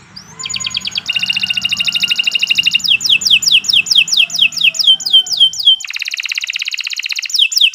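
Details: Canary in full, long master song for training other birds, delivered without pause: fast buzzy rolling trills alternate with quick runs of repeated high, downward-slurred whistled notes, rich and continuous, with faint low background rumble.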